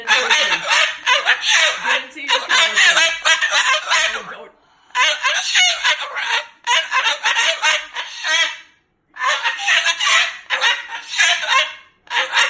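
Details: Loud angry talking and cursing from a pet Moluccan cockatoo annoyed by its owner's overnight stay; long runs of coarse squawked syllables in several bursts separated by short pauses.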